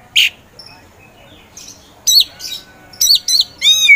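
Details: Caged Oriental magpie-robin kept for song contests, giving scattered short phrases: a harsh squawk-like note, then after a long gap a few sharp whistled slurs and a bright descending trill at the end.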